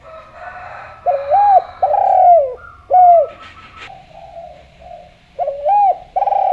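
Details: Spotted dove, Javanese type, in strong cooing form meant to draw other doves into song; looping hooked notes alternate with long smooth coos, the phrase repeating after a brief soft interval with faint background noise.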